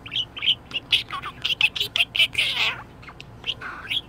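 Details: Budgerigar in a very good mood gives a brisk series of loud, evenly spaced chirps, then a rough drawn-out squawk and a few softer tweets.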